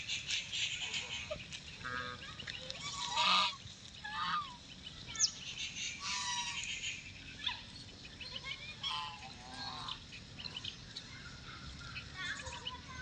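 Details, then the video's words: White call duck kept as a pet, giving repeated hoarse, nasal quacks throughout, some in short runs and others spaced apart, with a steady background hiss. "Our pet white call Duck Quacking, Quacking"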